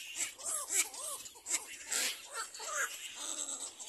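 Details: Little black cormorant mother with her chick during a cleaning lesson; a few quick, arched, wavering whines in pairs, then softer scattered calls, set against constant hiss and loud crackling bursts.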